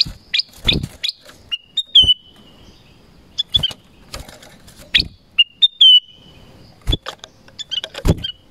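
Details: Black-crested bulbul singing in a forest: a busy run of short whistled notes, some falling or slurred, delivered in quick clusters and mixed with sharp clicking sounds throughout.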